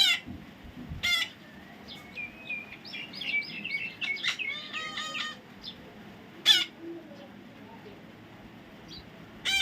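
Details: Baby parrot mixing harsh rasping squawks with a run of thin whistled notes and wavering chatter in the middle, then more sharp squawks near the end.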